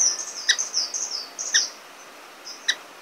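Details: Orange-cheeked waxbill (Estrilda melpoda) giving a short series of high, thin wavering whistles, punctuated by three crisp ticks roughly a second apart, then near silence.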